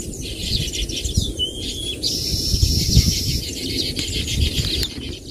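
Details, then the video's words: Baya weaver birds with soft high chatter and a short whistled slur, followed by a thin sustained high note, over constant low rumbling background noise. "தூக்கணாங்குருவியின் ஓசைகள் | Sounds of Baya Weaver Birds"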